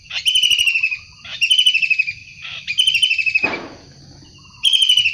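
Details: Long-tailed shrike in the wild, vocal and energetic, repeating four rasping, pulsed screech bursts each under a second long, with a brief noisy rustle between them and a constant thin high drone behind.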